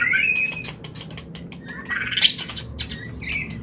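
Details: White-rumped shama mating call, played to bring a bird into breeding condition: clear, bright whistled notes that slide and waver, mixed with sharp clicks and short squeaky chirps, over a faint steady background hum.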